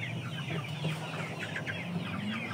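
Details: Flock of aseel, shamo and Saigon ganoi chickens: scattered high descending chirps above a heavy low rumble, with faint lower clucking sounds running throughout.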